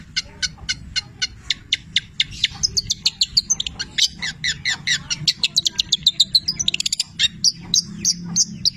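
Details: Cendet (long-tailed shrike) in full song, its phrases filled with borrowed labet and canary notes: rapid dry ticking clicks speed up into twittering, slurred whistles and trills, with a constant low hum behind.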